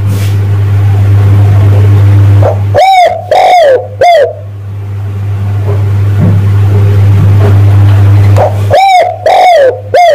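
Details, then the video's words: Spotted dove call played as a lure to attract males. Two three-note coo phrases, near three seconds and at the end, each note soft and hooting with a drooping tail. A constant low hum runs underneath. "tekukur pikat mp3 memanggil jantan"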